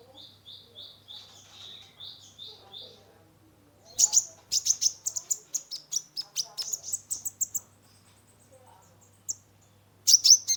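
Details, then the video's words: Brown-throated sunbird, locally kolibri ninja, in full, energetic song meant to stimulate a stressed caged bird: an opening series of repeated falling whistles, then dense high chirps and trills, ending with sharp bursts. "Terapi pancingan konin gacor full isian mengatasi burung stress !!"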